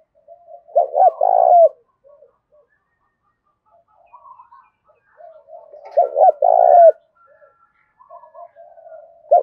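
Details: Decoy spotted dove singing in the Thổ Đồng voice style, thúc gù cooing: a loud phrase of two quick hooting notes and a drawn-out coo, given twice with quieter murmuring coos between, no other sounds.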